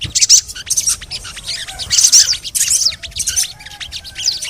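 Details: Sogon (crimson sunbird) twittering used as therapy for birds that will not sing: clustered bursts of sharp high chirps and squeaky notes, separated by short gaps, each burst lasting under a second.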